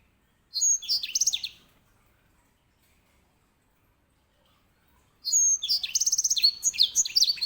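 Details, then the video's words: Loud song of a grey singing finch, a small finch kept to teach canaries: two dense bursts of high whistles and fast chattering trills, separated by about four seconds of silence. "EDEL SANGER SI BURUNG BERSUARA LANTANG"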